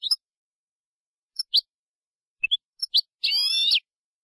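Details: Málaga-style goldfinch singing for educating young birds: sparse sharp chirps separated by pauses, ending in a half-second buzzing, layered trill.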